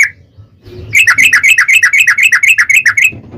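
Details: Yellow-vented bulbul giving a fast 'tarung ropel' fighting song to trigger replies: after one opening note, a quick, even run of about fifteen bubbly whistled notes in roughly two seconds.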